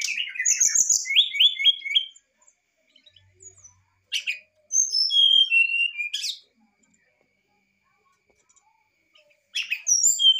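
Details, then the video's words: Brown-chested jungle flycatcher singing excitedly: a fast stuttering run of repeated high notes, then sweet descending whistled phrases, in bursts separated by short silences. "sikatan rimba dada coklat muntah emosi"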